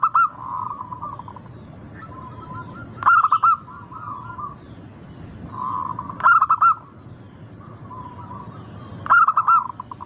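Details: Local zebra dove song used as a lure to get birds singing, its voice described as sweet and crystal-clear: loud rapid coo bursts every three seconds, with gentler rolling coos from other doves between them.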